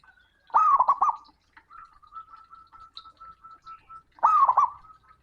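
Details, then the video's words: Male zebra dove (perkutut) calling a rival with a loud, booming voice: two rapid, bubbling coo phrases about four seconds apart, each a quick run of rolling notes. A thin, steady whistle-like tone carries faintly between them. "Perkutut Jantan Panggil Lawan || suara keras dan menggelegar"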